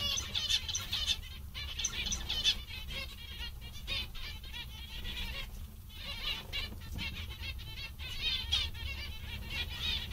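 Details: Several zebra finches, described as very cheerful and content, give a busy stream of short nasal, buzzy beeping calls, mostly in quick runs with brief pauses, over a steady low hum.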